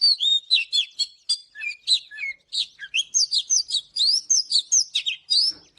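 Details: Oriental magpie-robin singing in the morning, used for song training: a rapid, varied run of sweet whistled notes, slurred trills and sharp chips, phrases tumbling one after another without pause.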